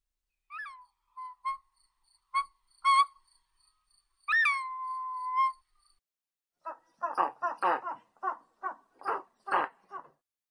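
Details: Eagle calling: a few sharp yelps and a long flat whistled note, then a run of rapid, rough, chattering notes that rise and fall in quick succession.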